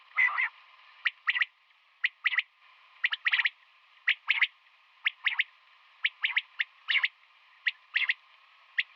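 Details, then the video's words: Morning calls of a female common quail, given as brisk bursts of bright, clipped notes, singly or in tight pairs and triplets, spaced unevenly through the recording over a constant low background tone. "Batair Ki Awaz |Female Quail sounds | Common quail Calling in Morning"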